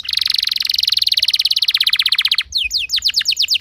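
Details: Canary singing a lure song in rolling 'gacor ngerol' style, meant to make other canaries sing along. A long, fast, even high trill runs for over two seconds, then quick downslurred whistled notes repeat rapidly.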